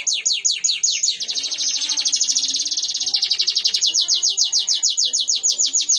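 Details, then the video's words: Fighting canary training song: a long, high, rolling trill of quick sharp chips that blurs into a continuous buzz midway, then separates again into evenly spaced rapid notes. "Masteran burung Kenari Petarung"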